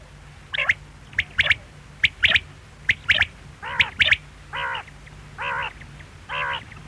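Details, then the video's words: Quail calling: sharp, high single and doubled clicking notes repeated roughly every second, followed by three lower, wavering, nasal calls with rich harmonics, evenly spaced at the end. "Quail sound|Batair ki awaz|bedana ovozi|бөдөнө үнү|перепелиный звук|بٹیر کی آواز"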